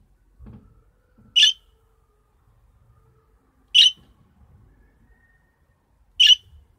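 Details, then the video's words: Young budgerigar being tamed and trained indoors, giving three short, harsh, buzzy chirps spaced about two and a half seconds apart, with faint low thumps and handling noises between calls. "Muhabbet kusu ötüyor"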